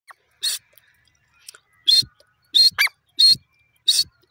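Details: Pair of jungle francolins calling: loud, harsh, noisy bursts with a shrill tonal edge, repeated roughly every half to two-thirds of a second, some notes doubled, with soft low thumps beneath.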